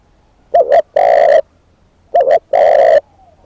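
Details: Spotted dove kept as a decoy bird, giving two loud cooing phrases, each a short double note followed by a long, steady, slightly rough coo, about a second and a half apart; faint distant coos are heard between them.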